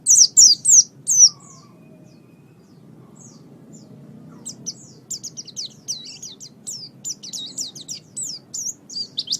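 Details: Oriental white-eye (pleci) singing for pet-bird training: a loud burst of high twitters, a quiet pause, then a long run of thin, fast, evenly spaced chirps.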